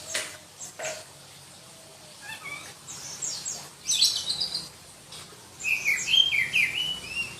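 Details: Black-breasted oriental magpie-robin from Berau, East Kalimantan, prized for a shrill song: scattered sharp notes and clicks, then a lively run of high, piercing whistled phrases in the last seconds.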